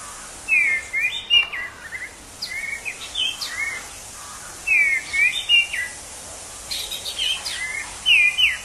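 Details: Wild orange-headed thrush delivering several bursts of song: clear downslurred whistles mixed with quick rising and falling warbles, phrases roughly two seconds apart, with continuous high insect drone behind.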